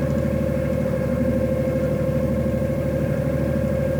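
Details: Continuous idling engine with a rhythmic low chug and a steady mid-pitched drone, no other sounds.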